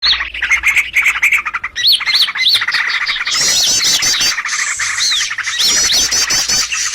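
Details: Bird calls used as a lure for trapping birds: a dense, loud mix of chirps, repeated upward-hooked whistles and rapid chattering notes from several overlapping callers, with a constant low hum.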